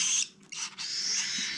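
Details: Brief, raspy hissing from cockatiel chicks being hand-fed, the 2021 season's last brood, with a short dip mid-call before the harsh rasp resumes.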